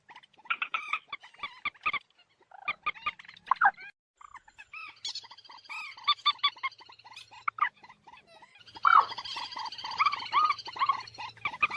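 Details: Moorhen calls: scattered croaking clucks and slurred notes, a stretch of rapid chattering, then a loud dense burst of bubbling, overlapping calls with a low hum underneath near the end.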